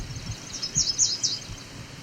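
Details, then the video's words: A male Yellow Warbler sings a brief run of three or four bright, high, quick notes in edge habitat near fields, near Cape Chin North, Ontario, on 17 July 2019, over low rumbling wind or handling noise. "That sounded like a yellow warbler. Interesting."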